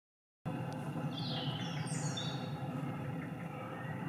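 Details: A juvenile Long-eared Owl on the Isle of Wight in May 2018 gives a thin, high, drawn-out squeak like a creaking gate, over a steady rumble of wind or distant traffic.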